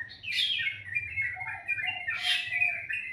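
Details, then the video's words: Bird singing in the morning, described as very melodious: two bright bursts of sharp chirps with steady high whistled tones and a lower held note between them, over a faint low hum. "Suara burung dipagi hari sangat merdu"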